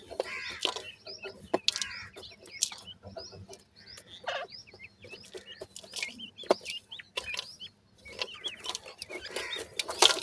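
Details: Sindhi teetar (francolin) chicks calling: many short, high, hooked chirps overlapping in a busy chorus, broken by sharp clicks and scraping bursts of noise throughout.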